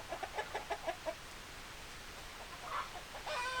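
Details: Hens cluck in a quick, even series of about seven notes, then go quieter; a short squawk follows and a sustained harmonic call begins at the very end.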